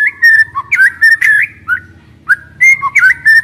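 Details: Clear, loud whistled phrases from a young wild white-rumped shama, some rising and some dipping, come in quick succession over a low background hum; the song is used to stimulate other birds.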